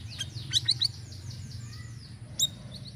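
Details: Sirisiri bird singing varied lure song: a quick cluster of high sharp chirps, a pause, then another bright chirp, set against noticeable broadband background noise.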